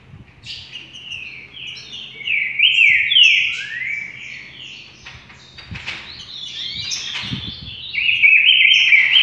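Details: Song of a rufous-collared sparrow, a run of clear whistles and downward-slurred trilled notes, phrases repeating with brief gaps, steady faint hum in the background.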